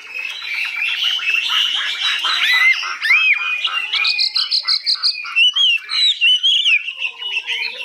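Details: Caged hwamei with a high, long-phrased song: dense rich warbling gives way to clear slurred whistles, a rapid chattering trill, and short repeated bursts of melodious notes.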